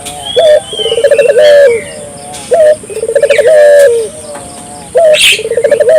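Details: Barbary dove calling persistently, used to prompt local doves to call along: three low phrases, each a short rising note followed by a fast rolling trill of about a second, with thin chirps of other small birds above.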